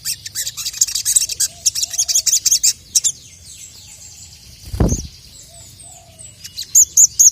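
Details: Crested jay calling to challenge a rival: a fast run of sharp, very high clicking notes for about two seconds, then scattered high chips and a brief low thump.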